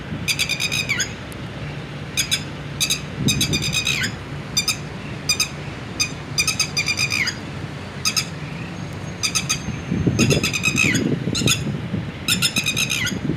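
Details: Red-wattled lapwing with eggs and chicks calling with loud, shrill, ringing notes in rapid bursts of three to six, some ending in a downward slur, over a low steady rumble.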